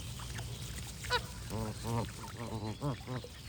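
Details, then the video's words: A sharp higher squeal, then a run of full, deep goose honks, about five in two seconds, stands out over low hum. "Goose & Birds Sound Effects for Relaxation"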